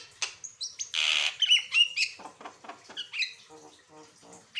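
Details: Asian pied starling varied song meant to teach and trigger other birds' singing: a loud rasping burst, then quick whistles and rapid repeated chattering notes fading lower.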